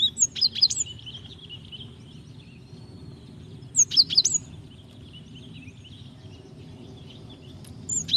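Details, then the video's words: Java sparrow female calling to the male to provoke singing; quieter clusters of high tinkling chips and slurred notes recur roughly every four seconds over a steady faint high whine and low background noise. "Gelatik betina gacor memancing bunyi"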